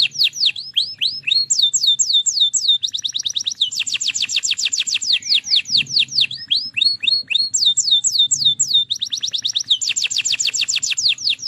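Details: Canary song built from long, even trills: each repeats a short high note many times a second, then switches abruptly to a new note, some strongly buzzy, others sweeter.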